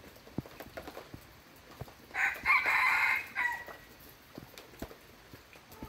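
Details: Red junglefowl crowing: one hoarse, drawn-out crow of about a second midway through, harmonic and steady, framed by scattered faint ticks and patter in the background.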